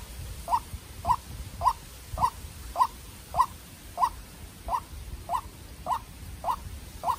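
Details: Young decoy white-breasted waterhen battling a wild bird. About twelve sharp, identical mid-pitched notes follow each other evenly, nearly two per second, with faint low noise beneath.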